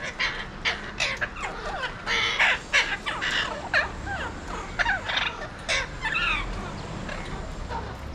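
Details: A flock of wild Alexandrine parakeets in Mumbai, India, seen from a window, gives loud, harsh screeches and rasping squawks, several birds overlapping in an irregular, almost continuous chorus.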